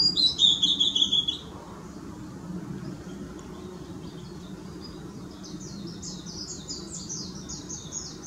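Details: A blue-and-white flycatcher, recorded on 24 April 2016, gives a loud, clear whistled phrase ending in buzzy notes, then a softer run of rapid high notes over a low background rumble.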